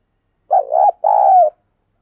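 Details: Spotted dove kept as a decoy bird, calling vigorously to stir wild doves: two mellow low coos, the first wavering, the second longer and gently falling, with silence around them.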